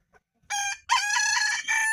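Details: A rooster crows in the morning near a home vegetable garden: a short harsh opening note, then a long, strained, harmonic-rich wail held for about a second, loud and close.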